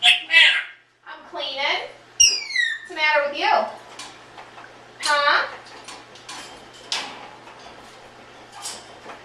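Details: Sixteen-year-old adopted Congo African grey parrot indoors, repeatedly asking its owner the same question during cleaning. Loud speech-like phrases in short bursts, with rich harmonic syllables and one clear whistled falling tone, separated by brief pauses and faint household clatter.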